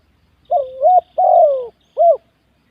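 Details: Spotted dove cooing in a ground-ring singing contest: one clear phrase of a rising looped note, a long falling coo and a final short looped note, loud against silence.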